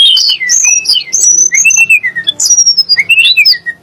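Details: Sunda blue robin (tledek gunung) with a song that provokes shamas and other birds: long sweeping whistled slurs rising and falling, ending in a fast stuttering series of notes.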